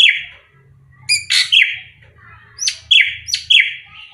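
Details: Varied drongo song, srigunting krantil type, suited as a lure: a scratchy descending note, then loud buzzy bursts followed by sharp falling whistles, several in quick succession over a faint low hum.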